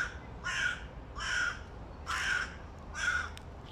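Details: Young male hooded crow with a breaking voice, recorded in August 2022: four hoarse, rasping caws spaced under a second apart, each harsh and noisy with a slightly cracked, uneven tone, against a quiet background.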